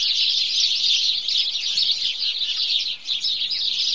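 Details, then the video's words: Overlapping chirps from a group of house sparrows at morning, a loud steady twittering with a short lull around the three-second mark. "Morning Chorus Of House Sparrow"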